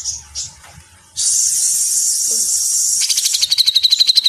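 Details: Training recording of a grey-cheeked bulbul in the dense mesetan style: a couple of brief high notes, then a long, harsh, high hiss, ending in a quick, accelerating series of sharp, pulsed chattering notes.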